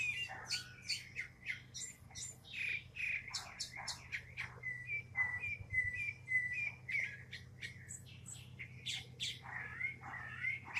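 Northern mockingbird singing a fast, varied medley of bright whistles, chirps and harsh notes, some phrases repeated several times before switching, over a steady low hum.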